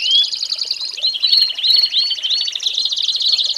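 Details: A short stretch of American singer canary tutor song for training young birds: a bright, fast trill overlaid with a series of upswept whistled notes in quick succession.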